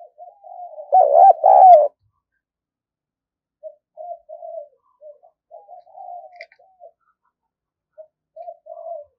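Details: Decoy spotted dove, very eager, used for luring new wild birds: a loud, throaty double coo, then a long stretch of quiet, scattered coo notes with pauses.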